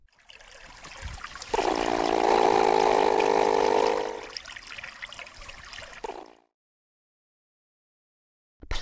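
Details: Rushing, gurgling water like a flush or pour builds and fades, then silence follows with a brief noise at the very end.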